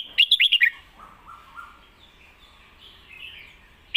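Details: Lak Wai master song of a red-whiskered bulbul: a fast run of five sharp, liquid notes opening the clip, followed by quieter wavering whistles trailing off.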